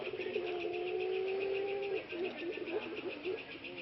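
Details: Productive male ringneck dove, one of three kept too long in a breeding cage, its voice somewhat hoarse and now recovering. A long low steady coo is followed by a wavering, broken section over a constant noisy hum.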